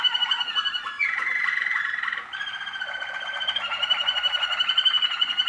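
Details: Waterslager canary, a young bird recorded in 2013, singing a continuous rolling, water-like trill with pulsed bubbling notes, rapidly repeated and changing tone midway, in a small room.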